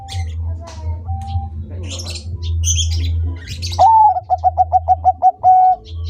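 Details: A few soft whistles and chirps, then a Bangkok zebra dove bursts into full song: a rising first note, a rapid staccato series of about eight notes at one pitch, and a drawn-out closing note. A low hum continues throughout.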